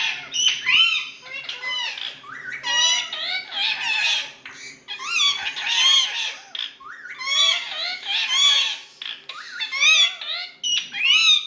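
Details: Pet rose-ringed parakeets talking at home indoors: nonstop chatter in bursts of high, harmonic squawks and warbled speech-like phrases, with sharp shrill notes every second or two.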